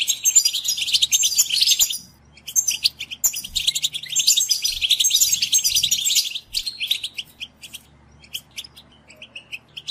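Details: European goldfinch singing, played to stimulate captive goldfinches: bursts of very high, busy twittering and tinkling trills, broken by short silences, with quieter scattered chirps toward the end and a low hum beneath.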